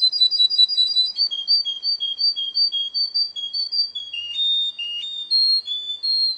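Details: Contest-singing Russian canary delivers rapid repeated whistled notes, first a fast rolling trill, then evenly spaced two-note pulses about three per second, with shifts to lower and higher note pairs.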